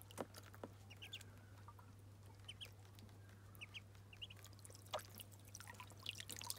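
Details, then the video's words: Muscovy ducklings taking their first bath peep in quick high pairs between louder splashes and knocks of water, over a faint steady hum. "Muscovy Ducklings’ First Bath 🛁💦💦💦 [Original Sounds]"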